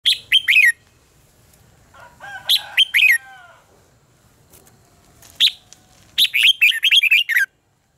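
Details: Red-whiskered bulbul competition song, used as a lure to train and stimulate other bulbuls to sing. Bright whistled phrases with sharp rising and falling notes come in three bursts. A lower harmonic warbling phrase runs between them.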